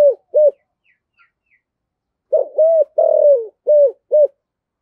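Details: Spotted dove lure bird in thổ sấm voice: two short hollow coos, a pause of nearly two seconds, then a full phrase of a rough opener, smooth coo, long burred falling note and two clipped endings, all deep and mellow.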